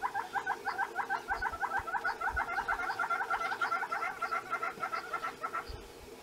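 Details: A displaying Southern Red-billed Hornbill in the Kruger National Park bush gives a long, rhythmic series of hollow clucking piping notes, evenly paced around three per second, building slightly then stopping, with soft background rustle.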